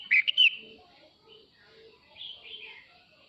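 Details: Singing male red-whiskered bulbul calling the flock, with a brief, loud phrase of three sharp whistled chirps at the start, followed by faint distant twittering.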